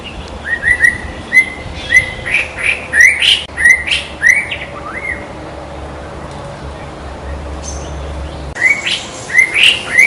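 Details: White-rumped shama singing in the wild: loud, clear whistled notes, some rising and some falling, given in quick varied phrases with short pauses, some with sharp higher overtones, then a quieter stretch before another burst of whistles.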